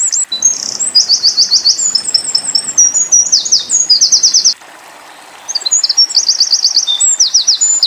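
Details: Eurasian wren song used to tutor white-eyes: long, high, hurried phrases of machine-gun trills and sharp chips, broken by one brief silence before another fast trilled run.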